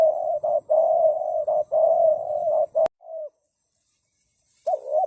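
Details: Spotted dove giving a near-continuous string of mellow, mid-pitched coos broken by brief gaps, then a sharp click, a short trailing coo, silence, and a final two-note coo.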